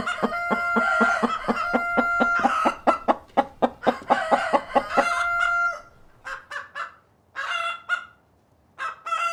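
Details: Cockerel and hens on a farm, clucking: a fast series of short, sharp clucks, roughly two per second, under long steady nasal tones, then scattered single clucks with quiet gaps.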